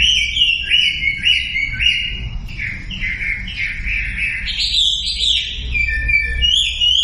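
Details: Sumatran leafbird lure song meant to draw silent birds into singing: a fast chain of chirpy, stepped whistles shifting in pitch, over a steady low background hum.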